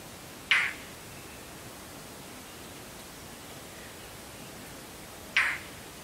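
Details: Indian roller in South Asia giving two short, harsh, rasping calls about five seconds apart over a steady background hiss.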